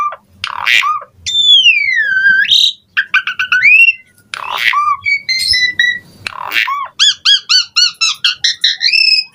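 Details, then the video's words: Asian pied starling in varied song used as a lure for reluctant singers: harsh bursts, a long swooping whistle, chattering notes, flat whistles and a fast ending series of short repeated harmonic notes. "JALAK SUREN GACOR FULL ISIAN MOMPA AMPUH DIJADIKAN PANCINGAN JALAK SUREN MALAS BUNYI"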